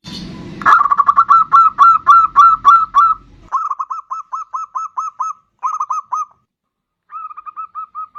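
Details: Persistent song of a bodronoyo zebra dove, played as a lure for other birds: long runs of rapid, evenly repeated cooing notes, broken by brief pauses, one short silence, then a final softer series of notes.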